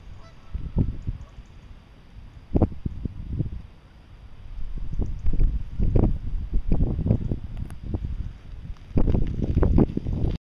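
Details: Wild geese newly arrived in Meerbusch from the north and east, resting on migration before moving south; harsh, overlapping honks in bursts from a flock, loudest near the start and end, over low wind rumble.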